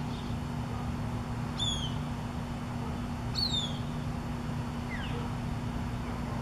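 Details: Juvenile Cooper's hawk calling for its mother while harassed by mockingbirds: two thin, high, down-slurred whistled cries about two seconds apart, a fainter one after, over a steady low hum.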